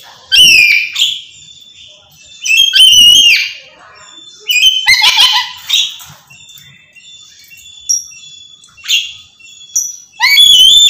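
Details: Black-capped lory screaming without pause. Loud, raspy, harmonic screeches burst out repeatedly, roughly every one to two seconds, mixed with shorter harsh squawks and brief clipped notes.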